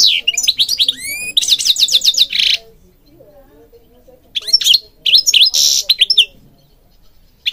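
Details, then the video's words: Singing goldfinch, used for training birds: rising whistled slides, then a rattling buzzy trill, a quiet gap, then two more bursts of twittering and harsh buzzy notes. "Singing Goldfinch King goldfinch singing"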